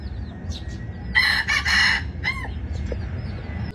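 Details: Red junglefowl kept as a decoy bird, crowing one loud, harsh, broken crow of about one second, ending in a short falling tail note, with faint small-bird chirps in the background.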